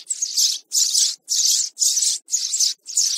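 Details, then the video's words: Raspy calls of a young sparrow, used for bird trapping: six scratchy, hissing bursts in quick succession, each about half a second long, separated by brief gaps. "Tiếng sẻ Non"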